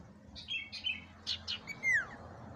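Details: Sirtu singing in a lure recording: several short chirps and paired notes, then a clear whistle sweeping downward. A noticeable low rumble sits behind the bird.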